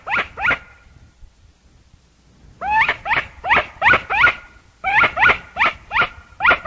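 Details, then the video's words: Chachalaca (aracuã) giving loud, harsh notes with strong harmonics. A short pair of notes comes first. After a pause, a fast run of repeated notes follows, about three per second, with rising and falling inflections. "O CANTO DE ARACUÃ canto da aracuã aracuã CANTANDO aracuã canto CANTO Do ARACUÃ som de aracuã"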